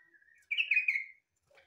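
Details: A soft low whistle leads into a rich, bubbling warble from a yellow-vented bulbul whose song is likened to a green leafbird's, followed by a faint brief chirp.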